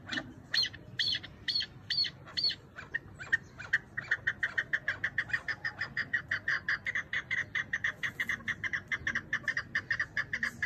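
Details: Chukar partridge kept for hunting: a few loud, harsh opening notes, then a long, fairly even series of clipped chuk calls, roughly two to three per second, over a quiet background.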